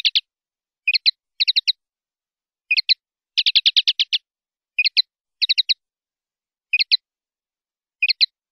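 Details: Common linnet song in the clean 'pardillo limpio' style from a 2019/2020 silvestrismo CD: short twittering bursts of two to four crisp notes with pauses, plus one rapid run of about eight notes, against silence.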